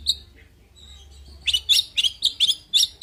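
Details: A kacer, or oriental magpie-robin, giving a few thin high notes after a near-silent start, then breaking into a rapid burst of sharp, bright chirps, several per second.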